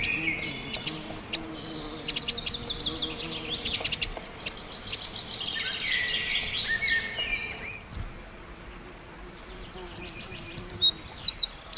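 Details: Forest chorus of several birds chirping, then a hush. A wren bursts in near the end with a loud, rapid, very high trill of repeated sharp notes.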